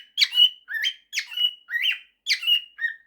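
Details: Pet male cockatiel singing his 'September' and 'If you're happy and you know it' mashup: six or so harsh, rising chirps with brief held tails, delivered quickly in a quiet indoor setting.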